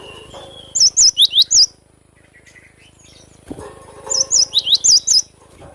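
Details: Actively singing cinereous tit: two bursts of high, clear twisting whistles, five or six notes each, separated by a pause of about two seconds filled with soft background chirps.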